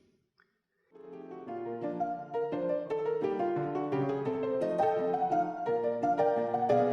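Piano music begins after a second of near silence, playing steady repeated chords and melody with no animal sounds.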